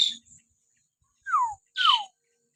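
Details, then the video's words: Common hill myna whistling meant to provoke pet mynas to sing: a short harsh note, a pause, then two clear whistles sliding steeply downward, the second with a burst of rasp. "masteran burung beo suara siulan alami"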